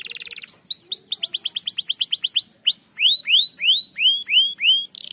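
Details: Canary acting as a lure bird delivers a long rolling song: a brief buzzy trill, then a fast run of repeated whistled notes that slows into drawn-out rising, arching whistles, ending in a short buzz.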